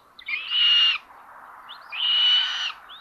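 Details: Common buzzards at a live nest cam in Tiszalök, Hungary, 30 May 2022 at 06:18, as a sister chick steals prey from her brother: two harsh, hissing screeches, each most of a second long, about a second apart, over a faint hum.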